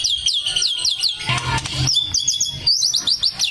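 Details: Male white-rumped shama giving a run of clear downslurred whistles, each dropping sharply in pitch, broken by a short noisy burst midway, then a second series of quick high slurred whistles.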